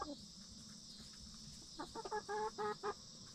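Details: Backyard hens in their coop during the last 30 minutes before roosting at night, settling and relaxing. Soft, low harmonic clucks come in a quick burst of about six notes near the end, over a steady high insect hum.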